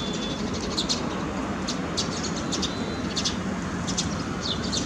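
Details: A rainy day on a terrace garden, where sparrows give scattered brief high chirps in small groups against heavy, even rain noise.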